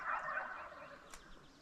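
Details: Merriam's wild turkey in Nebraska during a spring hunt on a Friday evening near dusk, in an area full of gobbling and strutting birds, gives a quick, rattling gobble that fades within a second, followed by a single sharp click.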